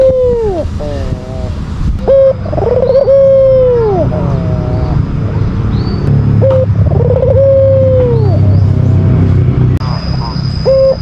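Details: An albino white Barbary dove repeats its rival-provoking coo: a brief note, a stuttering roll and a long even coo falling away, several phrases over a noisy background of low rumble and faint clicks.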